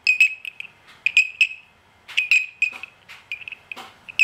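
A budgerigar mimics a bell with bright, ringing tones broken up by short chirps and clicks.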